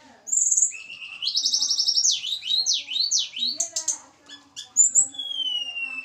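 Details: Snowy-browed flycatcher from the Javan mountains, kept for pairing: high whistled notes, then a rapid trilled run and a string of steep down-up sweeps, ending with long falling whistles.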